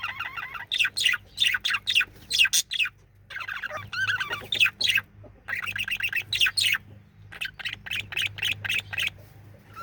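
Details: Singing male budgerigar delivering a long stream of chattering chirps, squeaks and warbled notes in uneven bursts with short gaps, over a steady faint low hum.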